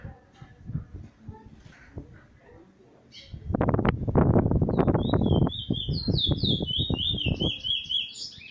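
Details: Trinidad plain brown bullfinch (chestnut-bellied seed finch), very wild, sings a run of high, clear, slurred whistles and rolls, partly masked by loud rattling and knocking up close. Recorded 11 January 2020.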